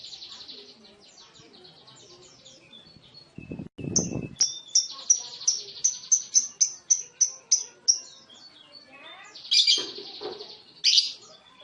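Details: Lovebird ngekek: buzzy high chatter, then a sharp burst of series of clipped high chirps repeated rapidly, followed by scratchy squeaks; a brief low thump near the middle.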